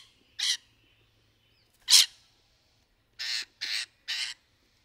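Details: Rainbow lorikeets in trees during courtship: two separate piercing screeches, then three harsh squawks in quick succession.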